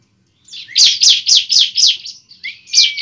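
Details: Bar-winged prinia fighting song meant to provoke a young bird into fighting and singing: six rapid, loud, downslurred buzzy chirps in a steady row, then a thin rising whistle and a final chirp.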